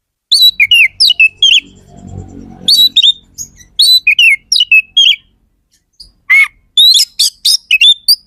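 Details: Oriental magpie-robin singing very actively: loud bursts of sharp whistled and chirped notes, some slurred up or down, grouped in quick phrases with short pauses, plus a few harsh buzzy notes; soft low rumbling in the background.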